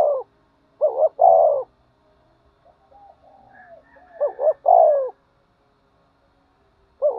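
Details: Spotted dove provoked into fighting and calling: a phrase of two short notes and a long falling coo, a stretch of soft warbling murmurs, another identical phrase, then the start of a third.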